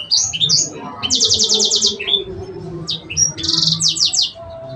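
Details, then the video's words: Sanger giving cengkok song: opening slurred notes, then a long buzzy rattling trill, a brief pause and further buzzy bursts and sharp high notes. "Cenkoknya Burung Sanger"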